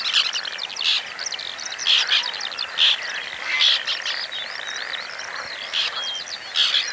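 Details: Breeding white-winged terns in Oostpolder, 2015, their second nesting there; dense, scratchy calls from several birds, with strident peaks roughly every second amid continuous chatter.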